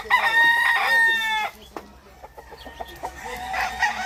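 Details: Rooster crowing: a loud, drawn-out, harmonic-rich crow lasting about a second and a half, followed by quieter crows and clucks from other fowl further off.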